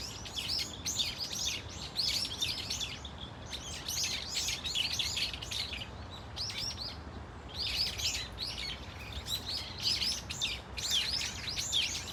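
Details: A flock of Brown-eared Bulbuls, a common resident bird, at Dunsan Grand Park, Korea, giving varied cries: busy high chirping notes in clustered bursts separated by short lulls across twelve seconds.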